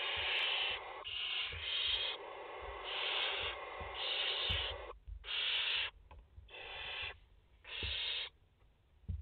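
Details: Five barn owl nestlings filmed in their nest on 29 August 2021 give rasping, hissing screeches in long and short bursts, some running over a second, with brief quiet gaps and soft rustling and low bumps.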